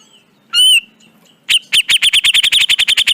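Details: Black-crested bulbul (cucak jenggot), training recording: a loud whistled note with a bright upper harmonic, a pause, then a fast run of about fifteen sharp repeated chips, several per second, over a faint low hum.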